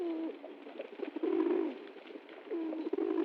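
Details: A pigeon, dancing happily after getting food, gives low, throaty cooing phrases, each swelling and falling over about a second, with a pause between, over faint background noise.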